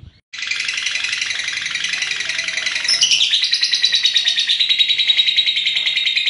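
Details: Female lovebird launching into a loud, extended trill after a brief silence, fast pulsed high notes that jump upward in pitch partway and continue strongly to the end.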